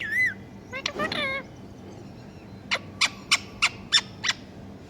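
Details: Parrot talking and imitating a cat: a short wavering whistled note and a speech-like phrase, then a run of six sharp, evenly spaced clicks, with a low background hum.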